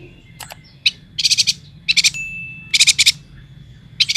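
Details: Lively yuhina song from Kalimantan: clusters of three to six rapid, very high, bright chirps repeated roughly every second, with single sharp notes between. A thin steady whistle-like tone runs beneath, with low background hum.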